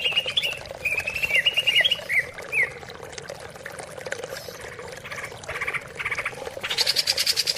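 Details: Greater green leafbird song played as a lure to get silent leafbirds singing: a brief bright warbled phrase of quick chirping notes, then a stretch of splashing, pouring water-like noise.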